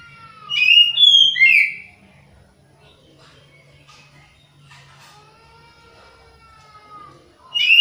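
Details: Caged Oriental magpie-robin (kacer), in full song but low in breeding condition, its material still monotonous: a loud burst of varied whistled and chattering notes, then a long quiet stretch with soft drawn-out whistles, and another loud phrase at the end.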